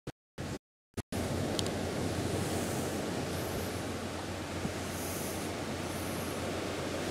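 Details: Steady surf and wind noise at sea on a South American journey, with brief dropouts at the start and no animal calls.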